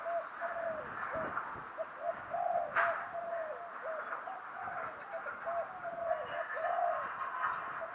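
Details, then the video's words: Decoy spotted dove calling thúc gù to attract wild birds: a steady series of low, soft coos half buried under loud hissing background noise, with one sharp click midway. "chim cu mồi thúc gù, chim cu gáy kích bổi mới nhất, cu cườm thúc gù giọng hay"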